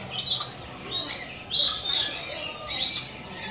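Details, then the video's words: Lorikeets, named Coconut Lorikeets (Trichoglossus haematodus) and likened to Rainbow Lorikeets, coming to visit: three bursts of shrill, high screeching chatter spaced about a second apart. "Coconut And Rainbow Lorikeets Want To Visit"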